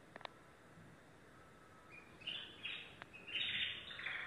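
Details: Domestic canary, yellow, starting softly with clicks and a faint thin tone, then breaking into loud buzzy rolled phrases and a rich trill toward the end.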